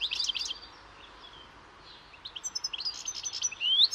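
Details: European goldfinch (Carduelis carduelis) singing a bright, tinkling jumble of rapid twittering notes with buzzy trills and a rising whistle, in quick bursts separated by a brief pause.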